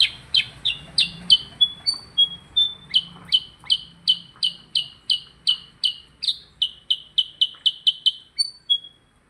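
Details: Percang bird singing busily: a long run of sharp, downward-slurred chirps, about three per second, broken by a few thin, high whistled notes, all loud and clear over a quiet background.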